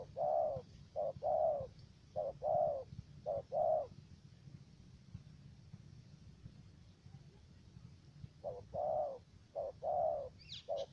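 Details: Spotted dove used as a decoy for trapping in U Minh, Khánh Hòa commune, Cà Mau, Vietnam; two bursts of low hoarse coos, short notes alternating with longer ones, separated by a quiet gap of several seconds.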